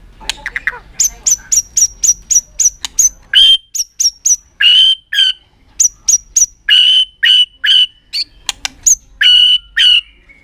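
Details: Super-long continuous song of a White-rumped shama, flicking its tail to stimulate other birds: rows of short high repeated notes, then loud whistled phrases repeated about every second.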